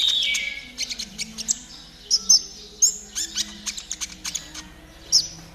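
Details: Caged-bird training recording of konin trotol: a brief falling whistle, then scattered sharp ticks and short high chirps at irregular intervals over a faint hum.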